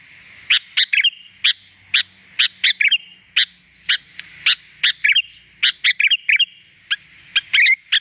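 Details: Training recording of a Sooty-headed bulbul for coaxing song: sharp, spaced chip notes mixed with short twittering flourishes, given roughly every half second, with a faint low hum underneath.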